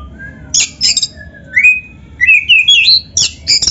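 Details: Black-breasted Oriental magpie-robin used as a lure for other birds, singing a song laced with canary phrases: harsh high buzzes, a rising slurred whistle, and a bright warbling run before more scratchy bursts.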